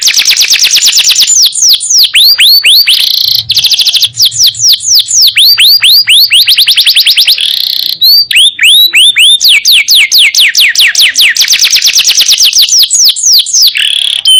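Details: Canary singing nonstop as a master for other songbirds: long runs of rapid high trills alternating with slurred whistled tours and buzzy rolls; a faint low hum briefly beneath.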